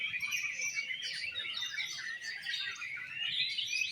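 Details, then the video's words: Oriental magpie-robin (kacer) singing at a songbird competition in an 'exotic' style: a dense, continuous stream of high twittering and warbled phrases with overlapping voices from other competing birds, steady throughout. "LOMBA BURUNG KICAU KACER -KACER TAMPIL GAYA EXOTIS"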